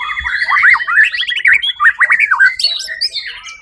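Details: First-place white-rumped shama from a songbird competition dated 1 October 2023 gives a quick series of rising, wavering whistled notes about three per second, followed by higher chattering phrases.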